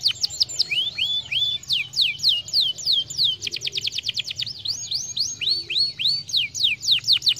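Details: Canary song for stimulating singing, with varied descending whistles, a rapid burst of stacked short notes near the middle, then slower falling whistles again, over a low hum.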